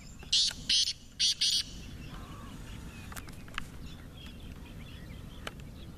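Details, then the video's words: Partridge (teetar) said to give 28 calls in three minutes, kept for fighting. Four harsh, grating bursts come in two quick pairs near the start, then quieter background with faint chirps and a low rural rumble. "28 awaz wala teetar aa gia h"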